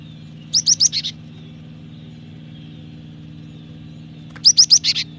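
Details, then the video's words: Cinereous tit in energetic song used as a training lure: two bursts of four or five rapid, evenly spaced high chipping notes, roughly four seconds apart, over a faint steady low hum. "Pancingan suara burung gelatik batu gacor ampuh masteran suara burung gelatik batu gacor"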